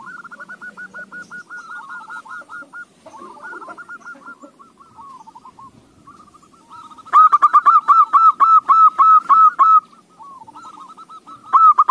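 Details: Zebra dove song used to coax other doves into singing: soft, rapidly repeated cooing notes, then a loud close burst of quick, rolling, evenly spaced coos, with quieter cooing answering afterward.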